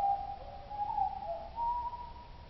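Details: Oslo blackbird song lowered by two octaves, giving a smooth, low whistled line of held notes with small dips and a final rise to a steadier, sustained tone.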